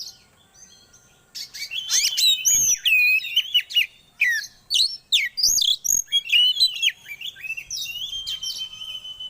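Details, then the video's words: Magpie-robin song used as a stimulating lure for breeding condition: opens after a quiet second, then bursts into rich whistles, swooping slurs and quick chattering notes that run almost continuously to the end. "Pancingan Suara Burung Kacer atau Poci Biar Cepat Birahi"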